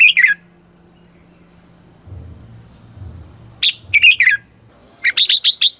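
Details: Lure song of a red-whiskered bulbul, used to train birds and attract wild birds: clipped, bright whistled phrases in three bursts, the last a rapid string of five or six notes, with a low hum between.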